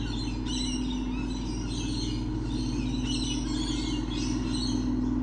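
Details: A crowd of lorikeets on 28 November 2013 gives sharp, squealing chirps in overlapping rapid bursts, while a constant low drone runs underneath.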